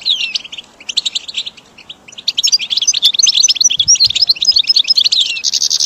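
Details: Goldfinch song used for training caged birds: rapid twittering chirps and trills with fast buzzy and sliding notes, sung almost continuously after a brief pause near two seconds.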